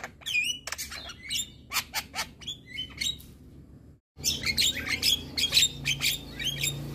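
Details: Male Javan myna giving provocative masteran song: quick chirps and whistled upslurs, a brief silence, then denser scratchy chatter.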